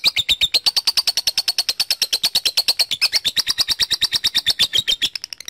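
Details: Lovebird calling a rival, a lure recording to spur long ngekek chattering: one unbroken fast trill of sharp, high chips at about eight per second, the pitch holding steady with slight dips near the end.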